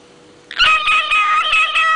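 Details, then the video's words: Cockatiel sings amusingly. After half a second of quiet, one continuous rich nasal note wavers and warbles steadily for about a second and a half. "СМЕШНО ПОЕТ ПОПУГАЙ КОРЕЛЛА"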